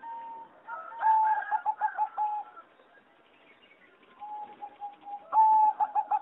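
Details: Singing zebra dove of a competition line bred for about 60 years, in a flight aviary, recorded 26 April 2014: a clear whistled lead note, then a rolling, bubbly coo trill. A second phrase repeats after a quiet gap, with faint other birds behind.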